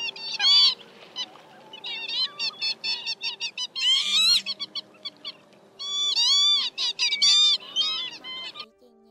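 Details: Northern lapwing calls, a lure for night netting of migrating birds in March: many short, sharp nasal notes in rapid clusters, then longer arched wheezy calls, a faint steady hum underneath.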